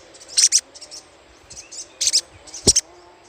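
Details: Little spiderhunter chattering as a lure. Three short bursts of piercing, high double chips, each followed by softer chips, within a few seconds.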